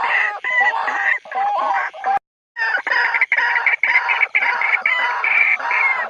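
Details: White-breasted waterhen territorial call, used as a lure played by day and night: harsh, dense croaking notes in fast repeated bursts, broken by one short silent gap partway through.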